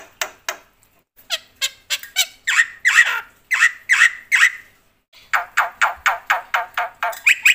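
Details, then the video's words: A loud black-winged myna in full song with mimicry: harsh, raspy squawks given singly and in short bursts, broken by a brief pause midway. "suara KERAS jalak putih gacor full isian"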